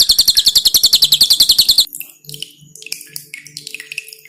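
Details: Pin-striped tit-babbler with a strong, dense song meant for training cage birds, dripping water in the background. A rapid string of high, sharp notes lasts under two seconds, then quieter scattered chirps and low drips follow.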